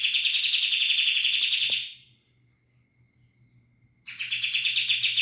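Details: 'Roll bren' song of a sooty-headed bulbul: two seconds of loud, buzzing rapid-fire trill, a pause holding only a faint thin whistle-like tone, then the rattling trill bursts out again.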